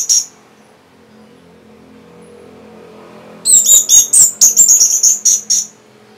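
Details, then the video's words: Orange-headed thrush answering a lure sound: a brief high note, a quiet pause with a low hum, then a rapid string of varied, high, sweet whistled phrases. "Reaksi ANIS MERAH Saat Dipancing Suara Ini"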